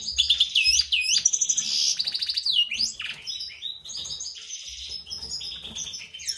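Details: Captive European goldfinch from a breeding pair of a white-throated mutation male and a classic female; a lively high twittering song of looping whistles, rapid trills and buzzy rattles delivered in quick, uneven phrases.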